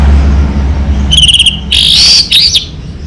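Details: Orange-headed thrush of a local variety singing a fast trill of repeated whistled notes, followed by buzzy, warbling high phrases, over a low rumbling hum.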